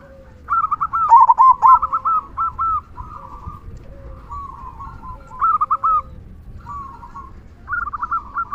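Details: Local zebra dove (perkutut) singing its loud "kung" song used to provoke quiet doves into singing; short groups of rapid rolling coos repeated with pauses, several phrases overlapping, over low steady background noise.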